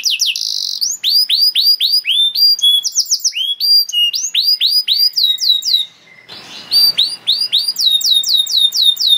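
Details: Singing canary used to train young canaries: a short buzzy trill opens varied phrases of arching slurred notes and short whistles, with a brief quiet gap and faint rustle midway.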